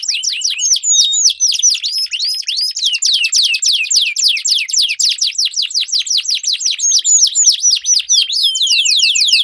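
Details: Duelling canaries with melodious long-rolling song for training competition birds: an unbroken run of rapid, bright downslurred notes repeated several times per second, with high thin notes layered above.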